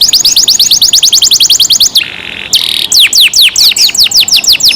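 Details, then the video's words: Canary kept in captivity singing a loud, fast song: rapid repeated chirps sweeping downward, a brief buzzy rolled section in the middle, then more falling whistled notes. "canary Nice sound"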